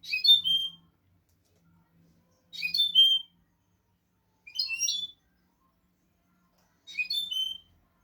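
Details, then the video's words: European goldfinch song meant for teaching young goldfinches: four bright, tinkling twittered phrases, each under a second and rising into a clear whistle, spaced about two seconds apart with silence between. "audio pará educar a los jilgueros sin errores |كيفية تعليم طيور الحسون نظيفة بدون عيوب"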